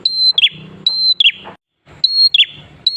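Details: Prenjak klawu, a prinia, used to prompt other prinias to join in: each phrase is a level high whistle followed by a quick falling buzzy flick, given three times with a short pause after the second.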